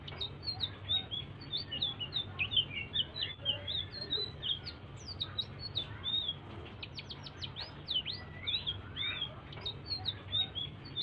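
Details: Blue-throated bee-eater singing softly to stimulate other birds: busy high twitters and sharp upslurred notes, with a burst of quick rising chirps late on, all above a low background hum.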